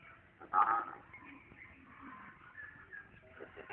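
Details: Parrot in village life in Punjab, Pakistan, giving one short, loud, tonal squawk with stacked harmonics in the first second. A quiet, murmuring background follows with faint rustling.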